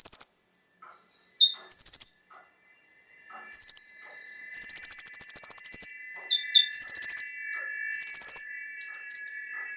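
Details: Brown-throated Sunbird (konin) song for stimulating captive birds. High rattling trills and a few short whistles sound over a steady, droning multi-toned hum that runs through the second half.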